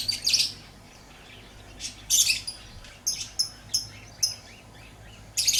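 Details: High, scratchy lovebird chirps: loud bursts at the start and middle, a quick string of thin, clipped notes between them, and another loud burst at the end.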